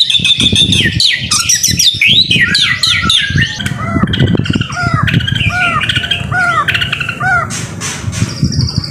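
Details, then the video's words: Murai batu, a white-rumped shama, pouring out a rich masteran song: rapid tumbling mix of whistles, chirps and arched notes, with harsher squawks and a thin high sustained tone near the end. "MASTERAN MURAI BATU GACOR SUPER JITU"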